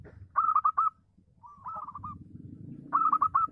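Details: Local zebra dove in full song, meant to provoke other doves to answer: two loud clipped trills of rapid cooing beats framing a softer, drawn-out purring phrase, with steady low-pitched background noise.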